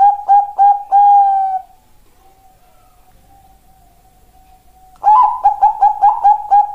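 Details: Bangkok-type zebra dove, a female calling to a male, kept as a master and lure song. Four quick soft coos end in a drawn-out note, a faint steady tone follows, then a fast rolling series of stuttering coos.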